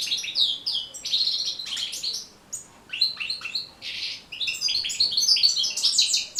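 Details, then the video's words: European goldfinch singing, recorded to teach and encourage other goldfinches to sing. Fast, varied twitters with short buzzy trills and sharp chirps come in bursts, with brief pauses between phrases. "بتبتة جد مهمة لتحفيظ و تحفيز طيور الحسون على التغريذ"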